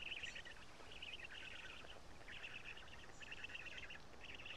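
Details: Black stork storklets being fed at their Karula nest, June 2017, their voices newly changed: grating, buzzy bursts of chatter broken by short pauses, over a steady hiss.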